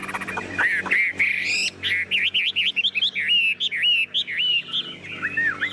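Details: Caged, tame Chinese hwamei giving loud, clear song: a few rising slurs, then a fast series of looping whistled notes that stop and start in short bursts.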